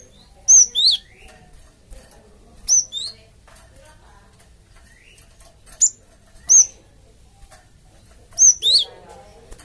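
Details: Java sparrow lure call, meant to get a flock to answer: paired sharp high chirps, the second dropping in pitch, repeated at intervals of about two seconds with faint clicks between.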